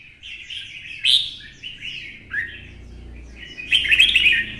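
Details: Twisting-voice song of a red-whiskered bulbul goaded into fighting-song mode: rapid, jumbled warbles and chirps pour out, with a sharp rising note in the middle and a loud, rattling burst near the end over faint low hum.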